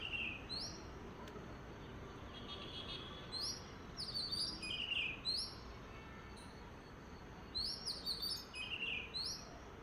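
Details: Bright rising chirps recur every second or two above a constant hiss of background noise in a peaceful morning setting.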